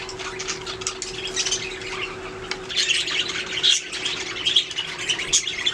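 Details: Budgerigars chirping, a soft murmur of high warbling chatter building to louder squeaky notes later, with a faint hum in the background.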